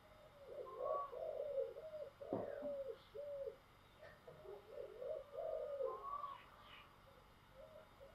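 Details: Spotted dove with giọng thổ style singing: a series of soft, hollow coos in quick, uneven groups, with a sharp knock midway, faint high chirps from other birds and a background hiss.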